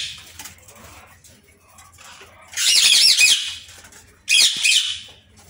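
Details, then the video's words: Indian ringneck parrot calling in an aviary: after a quiet stretch with faint background hum, two loud raspy screeching bursts about a second apart. "Ringneckparrot aviary"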